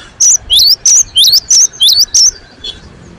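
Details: Vigorous cinereous tit song, sung with emotion: seven crisp high whistled doublets, each dropping then sweeping upward, delivered evenly at about three per second.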